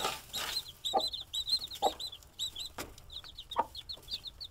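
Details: Hen guarding her young chicks: bursts of high, quick chick peeps in small clusters, broken by short, low clucks from the hen every second or so, plus an occasional dull tap.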